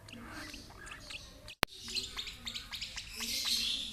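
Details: Lovebird fed by an older brood-mate: scattered thin chirps, a sudden loud click partway through, then fuller busy chirping building toward the end.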